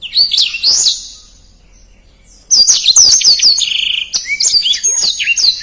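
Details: Black-throated canary in fast, dense 'gacor speed rapat' song used as a master recording for training contest birds: a burst of high sweeping whistles, a two-second pause, then a long run of rapid, warbled, up-and-down notes with short buzzy trills.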